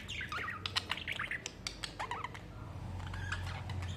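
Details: Budgerigars in summer chattering: warbling, twisting whistled notes mixed with sharp clicks and short squawks in quick irregular bursts, easing off near the end, over a steady low hum.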